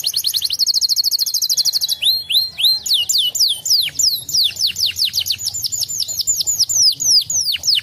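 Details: Canary song used as a lure to make other canaries answer and sing: opens with a fast buzzy rattle trill, then shifts into rapid repeated downward-sweeping whistled notes, about three to four per second, continuous throughout.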